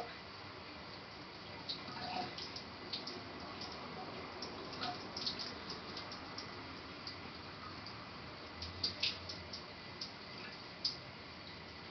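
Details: Running and splashing water in a small room, with scattered drips and light clatter, and no clear animal voice.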